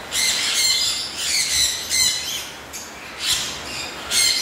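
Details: Caique parrot kept in a cage, giving repeated harsh high squawks in short bursts, about four within a few seconds, over a steady background hiss.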